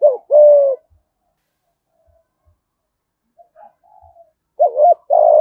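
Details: Spotted dove in Đồng Nai, Vietnam, cooing in the 'thúc gù' manner with 'giọng thổ' voice: a long steady low coo, a pause with soft murmurs, then a wavering double note leading into another long coo.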